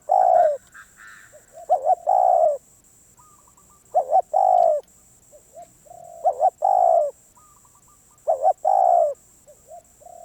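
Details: ['Repeated cooing from a wild Spotted dove said to be very stubborn. About five phrases each pair a short stuttered note with a longer falling coo. Brief higher chirps appear early, over a steady electronic whine.']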